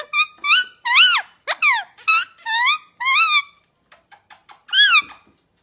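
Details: Indian ringneck parakeet kept as a pet, chirping while being cuddled: arched, wavering harmonic squeaks in an irregular series, a pause with faint clicks, then one more rising-and-falling chirp; quiet room.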